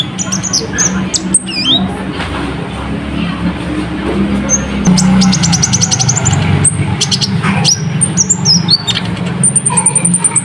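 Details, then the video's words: Ruby-cheeked sunbird song used as a dense tutor recording for training cage birds: high, thin chirps and sweeping whistled notes, with a rapid ticking trill mid-way and sharp repeated high pips near the end, over a steady low hum. "Masteran Rapet Burung Konin Gacor"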